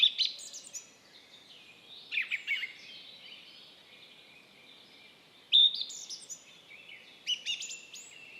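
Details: Song thrush in Estonia delivers loud, varied phrases in bursts every couple of seconds, mixing clear whistles with scratchy, chattering notes over a soft rustling background.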